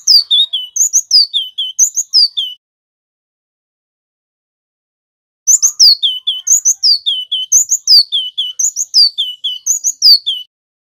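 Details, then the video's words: Male local Javanese wingko-type cinereous tit singing in full 'ngerol' style, used to train and lure other birds. Two bouts of bright high whistled phrases, each three or four notes sliding downward, repeated about once a second, separated by several seconds of silence. "GLATIK BATU JANTAN GACOR | Suara masteran & pancingan ampuh bikin GELATIK wingko bahan rajin NGEROL"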